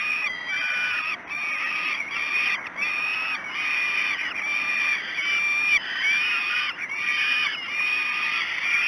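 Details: Begging falcon chicks at Great Spirit Bluff at breakfast, 06:54 on 5 June 2016, screaming in loud continuous nasal wails, roughly one cry a second, with constant electronic hum in the background.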